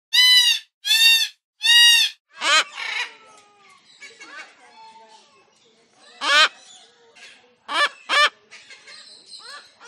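A cockatoo gives three loud, harsh, grating screeches in quick succession, then quieter raspy chatter broken by more sharp screeches.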